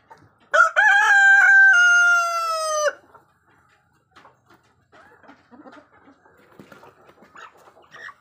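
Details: An adult white single-comb rooster gives one loud, harsh crow lasting over two seconds, stuttering at first and then holding a long, falling final note; faint clucks and rustling follow.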